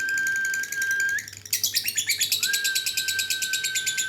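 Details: Lovebird singing; a long steady whistled tone, then a burst of rapid, rhythmic buzzy chattering notes repeated several times a second, with the sustained whistle returning underneath.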